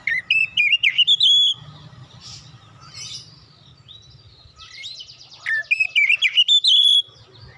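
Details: Oriental magpie-robin, an untrained bird provoked into singing: two matching phrases of rapid, wavering whistles climb to a sustained high note. A quiet stretch with faint chirps and a constant hum separates them.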